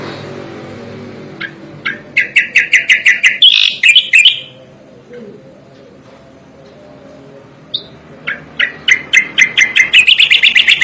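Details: Striated grassbird used as a training song for songbirds: crisp chips accelerate into a tumbling bright warble, a quiet gap, then a long series of rhythmic sharp notes speeding into a rapid trill.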